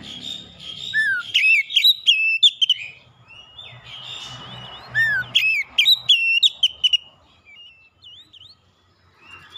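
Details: Provocative song of an oriental magpie-robin aimed at a rival. Clusters of loud, sharp whistled notes alternate with quieter warbling and falling slurs. Singing trails off into a few soft twisting whistles, with low background rumble.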